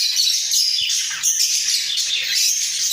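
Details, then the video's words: Two budgerigars in a breeding cage, heads bobbing, pour out an unbroken high chattering warble with thin whistled threads running through it, steady in loudness throughout. "Sepasang Burung Parkit Gacor"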